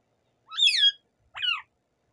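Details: Native rose-ringed parakeet, kept as a talking bird, giving two harsh, raspy calls with strong harmonics, a longer squawk then a shorter one after a brief pause, with no other sounds.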